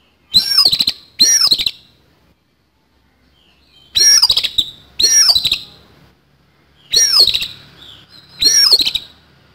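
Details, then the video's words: Rough fighting song from an oriental magpie-robin: six harsh bursts in three close pairs, each burst a shrill falling whistle buried in buzzy, stuttering noise, with gaps of about two seconds between pairs. "KACER TARUNG ISIAN KASAR"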